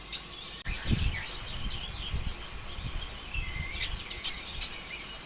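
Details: Brown-throated sunbird (konin ijoan), a rapid 'konslet' lure song for prompting other sunbirds to sing: high, thin chirps and quick twittering trills with sharp ticks, over a faint low rumble.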